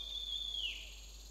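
A Grey treepie gives one clear, high whistled note. It holds steady, then slides down at the end, over a faint background hiss.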